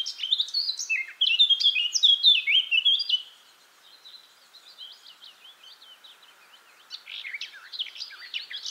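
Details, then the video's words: Eurasian blackcap (Sylvia atricapilla) in song: a loud run of fluty, rapidly changing whistles for about three seconds, followed by softer subdued twittering and a renewed rising warble at the end. "O canto da toutinegra-de-barrete-preto (Sylvia atricapilla)"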